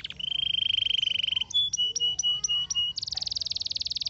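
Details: Canary singing a long, steady whistled trill, then a run of clipped repeated notes, ending in a very fast, high, buzzy trill of rapid pulses.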